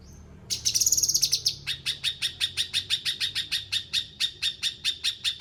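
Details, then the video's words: Bulbul giving a short high buzzy rattle that runs straight into a steady sequence of sharp, repeated chip notes at one pitch, roughly three per second. "Cucak kinoi gacor"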